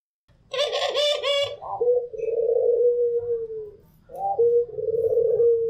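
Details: A white Barbary dove (puter pelung putih) gives low, drawn-out rolling coos, each held for over a second, after a brief harsh burst at the start.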